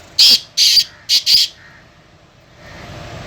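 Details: Black francolin, known locally as Sindhi pheasant or kala teetar, a small young bird let loose on bare soil and calling while it rolls in the dirt: four loud, harsh, grating notes in quick succession within about 1.5 seconds, then a quiet hiss.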